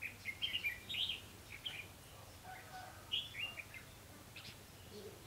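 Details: Red-whiskered bulbul kept as a trapping decoy sings lively chirpy whistled phrases, a cluster at the start and another after a pause, over quiet outdoor background noise; recorded 28 October 2016.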